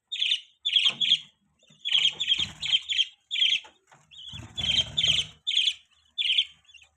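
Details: Budgie chirping steadily in short, high, scratchy bursts of two or three notes, with brief pauses and some soft rustling in between.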